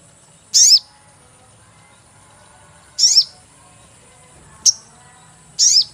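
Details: Sogon bird call played to lure birds for catching: very high, sharp falling chirps at irregular gaps of one to two and a half seconds, including one brief clipped note, with a steady high hiss behind.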